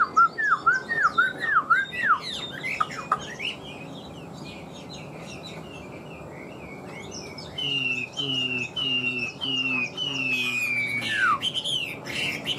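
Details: Newly moulted Chinese hwamei kept in a cage in Vietnam starts with quick looping whistles, falls quiet, then repeats a loud downslurred whistle about twice a second before a final sharp swoop.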